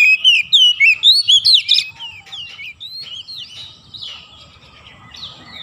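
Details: Loud Oriental magpie-robin phrase of rapid whistled slurs and sharp high notes fills the first two seconds, then trails into softer varied warbling; used as therapy so lazy magpie-robins start singing without pause.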